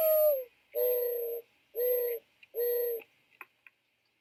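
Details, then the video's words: Mourning Dove call near Boston, a call often heard in the morning or evening from birds on wires near houses. Four low, hollow coos: a short first note sliding downward, then three longer, steady coos about a second apart. Faint clicks follow, with a thin high electronic whine throughout. "This is what a mourning dove sounds like."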